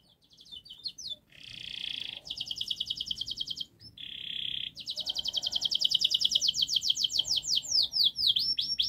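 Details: Domestic canary in long, fast, dense song used as a model for young canaries to learn to sing: rapid rattling trills, buzzy high bursts and a sweeping series of rising-falling whistled notes near the end.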